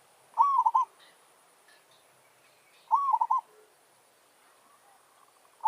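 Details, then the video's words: Territorial challenge song of a village zebra dove used to entice wild doves, with two full rolling coo phrases of rapid pulsed notes and the start of a third, faint soft chirps in between. "Merbok kampung - Anggar buat hal..pijak tak jatuh. Burung hutan siap bagi tandang."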